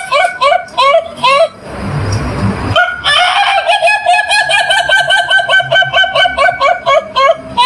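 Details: Chicken in a yard giving bursts of sharp, repeated clucking notes, several per second. A short rush of broadband noise briefly interrupts, then the quick cackling carries on steadily to the end.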